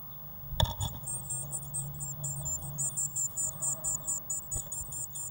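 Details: Eurasian blue tit nestlings inside a nest box, 1 June 2016, fed waxworms: a sharp knock, then an accelerating string of high, thin begging squeaks pulsing regularly over a constant low hum.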